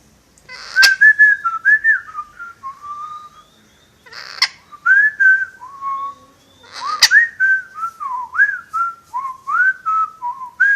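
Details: Indoor parrot whistling a tune, said to whistle the marching song from Bridge on the River Kwai: three bursts of melodic whistled phrases, each note rising and dipping in a lilting pattern, opened by loud clicks.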